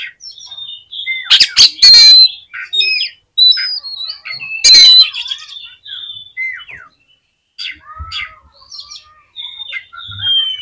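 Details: Oriental magpie-robin singing to provoke other magpie-robins into response, a rich varied stream of whistled notes, chirps and sharp harsh bursts, with some phrases sliding downward, delivered in continuous quick sequences.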